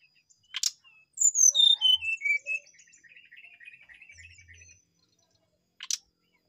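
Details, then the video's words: Brown-chested jungle flycatcher song: a sharp click, then loud clear whistles stepping down in pitch, followed by a soft rapid chattering trill, and a second click near the end. "sikatan rimba dada coklat gacor"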